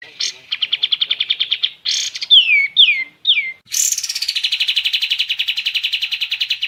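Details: Kapas tembak, an Indonesian songbird, singing a rapid high chirping trill, then three clear downslurred whistles, then a bright burst leading into a long, even trill of quick repeated notes.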